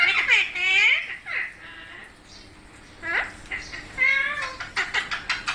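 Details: Indian parrots being hand-fed utter scratchy squawks and chatter in separate bursts with short gaps. A woman's calling voice is mixed in.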